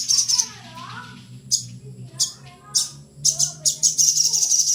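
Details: Little spiderhunter singing: sharp, very high chipping bursts in quick clusters, with pauses between groups, over a faint low hum and some soft lower sliding sounds.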